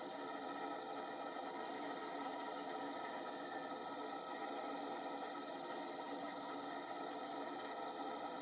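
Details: Glossy-black Thrush (Turdus serranus), Argentine Yungas montane forest, sings thin, very high squeaky phrases about every half second over a steady droning hum.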